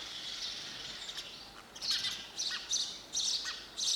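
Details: Sparrow chirping in quick, bright bursts, growing louder and more frequent toward the end, with light outdoor hiss.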